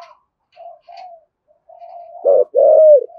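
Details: Spotted dove cooing in a low, throaty thúc gù style used to provoke other doves: faint low murmurs, then a loud short coo followed by a longer, slightly falling coo near the end.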